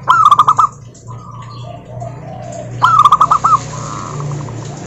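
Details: Local zebra dove song offered as a lure to set other doves singing: two quick bursts of hooked, bubbling coo notes about two and a half seconds apart, with softer trills from other birds between.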